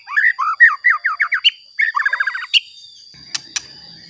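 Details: White-rumped shama song for provoking other shamas: a rapid, rhythmic series of chattering upslurred notes, then a second faster burst, followed by a few isolated sharp clicks.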